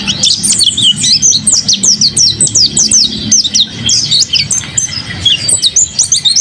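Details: Mountain white-eye, a kept bird singing vigorously: a rapid, unbroken stream of sharp, high downslurred chips and twitters pouring out for over six seconds.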